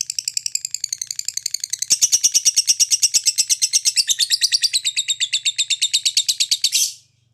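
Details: Lovebird giving its ngekek chattering song, used to prompt other lovebirds to sing. A long, rapid, steady stream of sharp, high-pitched notes runs for about seven seconds, growing louder after two seconds and stopping abruptly, over a faint low hum.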